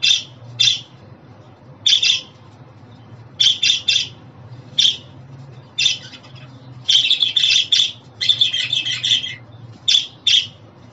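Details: Pet budgerigar sounds: isolated harsh chirps at first, building into a dense, chattering run of overlapping buzzy notes, then single chirps again.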